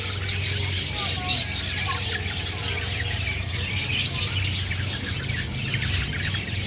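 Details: Long-tailed shrike of the black-headed form, taken by luring in season, gives lively sharp chirps and short squeaky phrases in a steady stream, over a constant low hum and faint voices.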